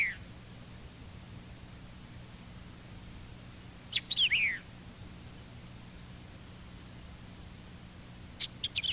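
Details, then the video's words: Shortened White-eyed vireo song beginning with its sharp chick phrase: brief bursts of sharp, downward-slurred notes at roughly four-second intervals, separated by silence, with low steady tape hum. "Sometimes the white-eyed vireo gives a shortened version, but listen for the initial chick phrase, which is a common element in the song."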